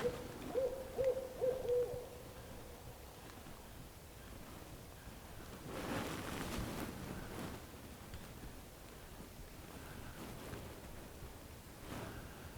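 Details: A Barred Owl, heard from a boat among cypress trees and repeating its call, gives a short run of four mellow, mid-pitched hoots in quick succession; breathy wind-like rushes and low background rumble follow.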